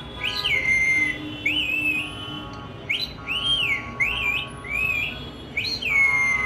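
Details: Pet Indian ringneck parakeet vocalizing: a series of clear whistled notes, some rising then falling, others wavering, in short phrases over steady background hiss.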